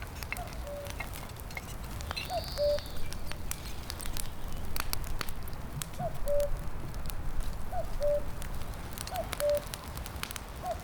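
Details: A Common Cuckoo near a forest road in the mountains repeats its soft, falling two-note "cu-coo" five times at uneven gaps of one to four seconds, over a steady crackling and pattering background.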